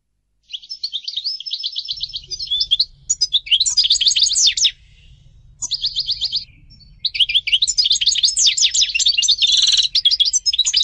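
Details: European goldfinch singing: bursts of rapid twittering and buzzy trills high in pitch, broken by short pauses, with tinkling notes and a faint low rumble underneath.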